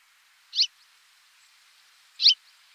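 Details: A western yellow wagtail, filmed in France, gives two short, high, slurred 'tsweep' calls about a second and a half apart, over a faint steady hiss.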